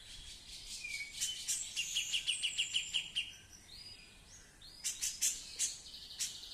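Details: Female Grey-cheeked Bulbul (cucak jenggot), singing actively and said to have laid eggs before, gives bright high chattering notes in a fast run of about a dozen, then scattered sharp chips and short rising whistles against a faint hiss.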